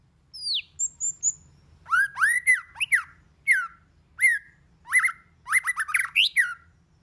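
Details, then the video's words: White-rumped shama singing in a varied, many-voiced style: a high descending whistle, a thin trill, then a run of loud, rich, rising and falling whistled phrases with sharp upper notes, spaced by short pauses. "Kích Chòe LửA HóT,chòe lửa hót nhiều giọng"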